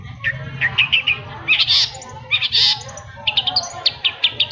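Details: Long-tailed shrike song used to coax silent birds into singing, a varied run of clipped chirps, harsh broadband notes and quick whistled phrases, with a low background hum throughout.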